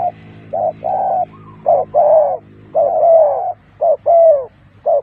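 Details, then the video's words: Spotted dove used as a lure for trapping doves: repeated low hollow coos in an uneven rhythm, short clipped notes alternating with longer drawn coos, nearly one each second. "Terkuku Pikat,Sound of dove bird,Cuckoo bird,spotted dove bird"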